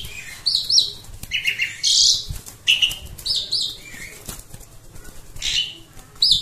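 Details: A pet Asian pied starling, which chatters loudly whenever guests or strangers arrive, gives a jumbled run of harsh chatters, squeaky whistles and bright, high varied notes over a few seconds; faint background noise.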